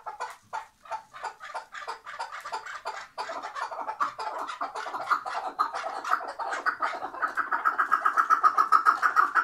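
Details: Chukar partridge kept tethered, from Şırnak, giving an accelerating series of harsh clucking notes that quicken into a fast rhythmic chatter, several notes per second, growing louder near the end.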